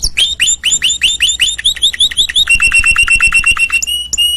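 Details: Canary singing upswept notes that give way to a quick steady string of flat whistled pips, then a few separate whistles at the close.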